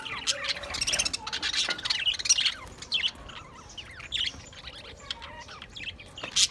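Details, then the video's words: Several budgies, 28 April 2023, keep up busy warbling chatter with rapid, twisting high chirps and occasional squawks. The sound is loudest early on, then thins into scattered calls. "lovely Budgies birds"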